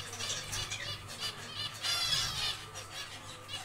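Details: Zebra finches in a small aviary while building a nest: short nasal harmonic calls repeated in quick bursts, with wing flapping and a steady low mechanical hum.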